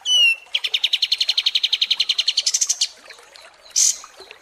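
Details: Ashy tailorbird (Orthotomus ruficeps) long-duration "tembak" song used as a tutor recording for competition songbirds: a sweeping whistle, then a fast even trill of about twenty high notes that jumps higher at the end, and a brief sharp burst.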